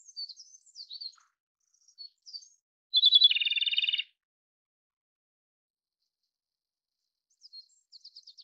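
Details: Japanese robin: scattered faint, high chirps, then a loud, rattling trill lasting about one second. After a quiet gap, a few soft high notes follow near the end.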